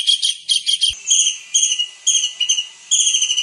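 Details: Kingfisher calling as a training recording for songbirds: high, thin whistled notes in short bursts and longer strings, several pulses each, separated by brief gaps, with one low thump near the start.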